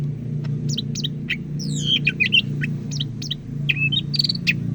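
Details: Greater green leafbird from Medan, North Sumatra, a kept songbird: sharp chips and descending whistled slurs in a lively varied phrase, over a loud low hum.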